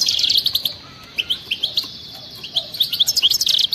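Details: European goldfinch of wild type launching straight into song: quick tinkling twitters, a sustained thin whistled note, then spaced chirps building back into fast, liquid chattering phrases.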